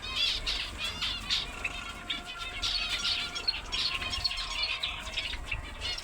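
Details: Finches twittering in a busy chorus of short, high chirps and warbled notes that overlap without pause, with soft wing flutters and a low background hum.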